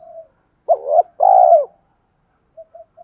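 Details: A single cooing phrase from a decoy spotted dove urging wild birds to fight: a brief wavering note, then a longer, slightly falling mellow coo, with faint soft notes around it.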